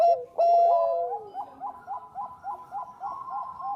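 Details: Singing Bangkok-type zebra dove on a lure track: a loud whistled note with a sliding coo, then a steady string of soft rounded coos repeated about every quarter second.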